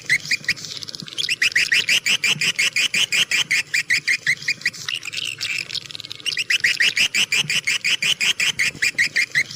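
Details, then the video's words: Swiftlet lure sound: fast, evenly spaced high chirps in long bursts, about three per second, with a brief twittering pause near the start and again midway, over a faint low background hum. "suara burung walet jernih cocok semua medan"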